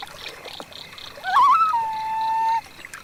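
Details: A common loon on a misty morning over still meadow water gives a brief wavering, quavering note that settles into a long, steady, mournful tone held about a second, over faint water sounds.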